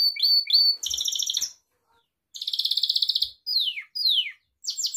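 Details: Domestic Gloster canary song for teaching pet canaries: quick rising chips, a buzzy rattle, a pause, then a fast pulsed roll followed by two sweeping downward whistles and a high bright burst. Only the bird is heard.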